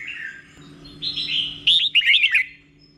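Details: Red-whiskered bulbul singing slow, clear เบิ้ล song intended for caged birds to copy; soft warbling builds into a short burst of quick, sharp slurred whistles that trail off.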